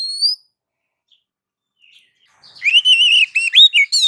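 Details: Oriental magpie-robin (kacer) masteran recording intended to make birds respond: a single rising whistle, a quiet pause, then a loud, fast run of warbling and wavering whistled notes.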